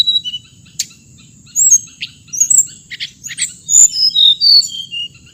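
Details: Hồng hạnh songbird giving bright high chirps and quick whistled slurs, busier toward the end with several rapid descending notes, above a continuous thin high tone and a soft low rumble.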